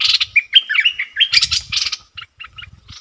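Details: A wild bulbul sings back at a caged decoy bird with a big voice but stays away from the cage, giving quick, bubbly warbled phrases and chattering notes at a high, bright pitch, with soft low thumps in the background.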